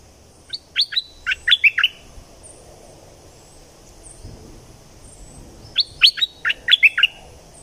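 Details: Southern Thai bulbul song used to rouse birds for trapping: two bright, chattering phrases of six or seven quick, liquid notes each, separated by about four seconds of near silence.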